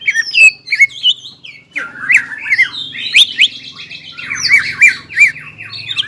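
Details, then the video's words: Greater green leafbird singing gacor with ngobra and jamtrok phrases: loud whistles and buzzy trilled notes in bursts, ending with repeated rising squeaks, low hum in background. "CUCAK IJO GACOR INI NGOBRA DAN JAMTROK SUARA GACORNYA BIKIN CUCAK IJO MANA PUN EMOSI"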